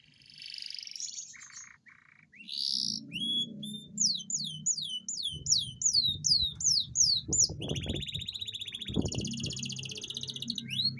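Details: Atlantic canary song used to stimulate lazy canaries, with buzzy notes, a run of repeated slurred whistles and a rapid rolling trill over constant low background rumble and some knocking noise.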